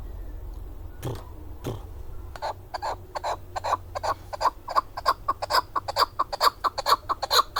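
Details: Chukar partridge, locally called keklik, in the Darvoz district of Tajikistan, 2020: after two low thumps, a quickening run of harsh clucking chuk notes building to about two per second, over low rumbling background noise.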